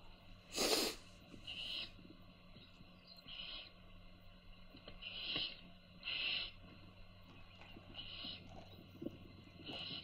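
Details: A loud knock opens, then baby owls being fed by their mother give scattered short hissing rasps every second or two.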